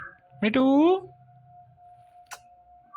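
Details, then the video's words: Indian ringneck parrot talking indoors, a single short word-like utterance with a rising, rich harmonic tone lasting about half a second, followed by a faint steady hum and a brief click. "Beautiful Ringneck Parrots Talking Compilation"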